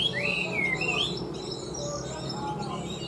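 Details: Caged Chinese hwamei, newly caught and large-bodied, opening with loud looping whistled phrases that rise and fall twice, then fainter scattered notes with a low background hum.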